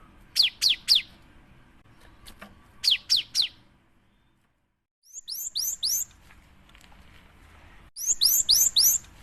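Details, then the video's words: Energetic cinereous tit singing to provoke other birds: two triplets of steep downslurred whistles, a short silence, then faster sets of three to four hooked, rising-then-falling high notes. "PANCINGAN SUARA GELATIK BATU GACOR"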